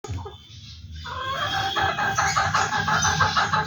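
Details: >Rooster pair calling: after a quiet start, a loud harmonic voice rises and runs as rapid pulsed notes for over two seconds over a low rumbling background.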